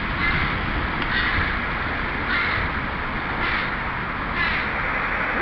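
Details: Young crows of a family that left the bachelor flock and now patrol their breeding territory, begging the parents for food; harsh caws come about four times in five seconds over steady loud broadband noise.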